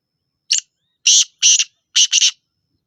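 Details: Black francolin from Sindh calling: harsh, grating bursts in a grouped pattern, one short note and then two paired double notes, loud and clear in a quiet background.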